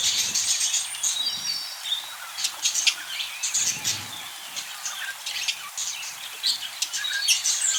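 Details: Budgies in busy group chatter: many quick high-pitched tweets and scratchy warbled phrases pile on one another without pause, occasional brief louder squeaks, a constant lively flock background.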